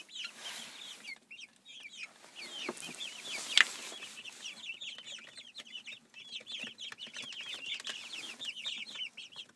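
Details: Twelve miniature white Silkie chicks, about six weeks old, peep together in a dense chorus of short, high chirps. The chirps come rapidly and overlap, with one sharp, louder note near the middle.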